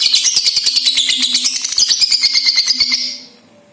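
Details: Ngekek song of a young lovebird (balibu), played as a lure so other lovebirds sing: a continuous, shrill, buzzy chatter of fast regular pulses, about three per second, lasting three seconds, then fading to silence.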